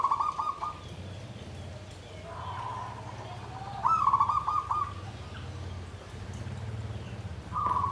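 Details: Caged zebra dove in a bamboo cage singing in the klabang kapipit, tumpang sari style: rolling, trilled coos near one pitch, in four bursts separated by pauses, over a steady low hum.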